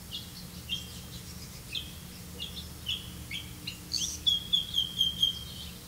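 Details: Red-vented bulbul catching crickets to feed its young; scattered short chirps at first, then a quick series of about six bright, clipped repeated notes near the end, over a low steady hum.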